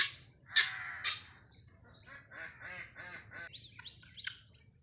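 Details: Free-range farmed helmeted guineafowl: two or three loud, harsh, rasping notes at the start, then a run of softer, clipped, chattering notes and a few thin, rising squeaks near the end.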